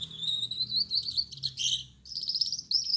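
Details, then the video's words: Male Gouldian finch, yellow-backed with red head and white chest, singing at night; high thin buzzy phrases with a rising whistled line, a brief pause, then a shrill trill, with faint low hum beneath. "Gouldian Finch Singing Gacor"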